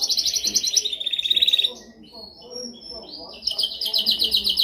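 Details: Canary training song, loud and clear: a fast pulsing high trill, a quieter pause with faint notes, then another rapid rolling trill resuming near the end.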